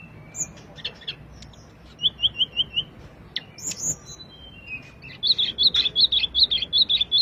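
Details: Sulingan song with sweet, high whistles. A quick series of five short, even notes sits in the middle, and a longer fast run of bright, repeated whistled notes closes the phrase, over quiet background hum.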